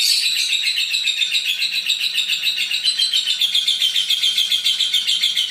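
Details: Lovebird giving a long 'ngekek' chatter: a continuous, rapid, even stream of high shrill notes, about three or four per second, running unbroken throughout with steady loudness.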